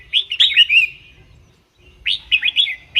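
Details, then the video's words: Red-whiskered bulbul, song played to make caged bulbuls lively; a short warbling phrase of clear whistles, a pause, then another brisk phrase begins. "เสียงนกกรงหัวจุก สำหรับต่อ หรือ ทำให้นกคึก"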